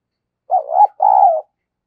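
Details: Lure call of a spotted dove for attracting wild doves: two low, mellow coos, the first rising into a brief peak, the second a longer steady coo that sinks slightly at the end.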